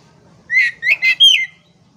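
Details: Oriental magpie-robin (kacer) phrase from a recording meant to restart a stressed, silent bird: four loud clear whistled notes in quick succession, the last one higher and sliding down, over a faint low hum.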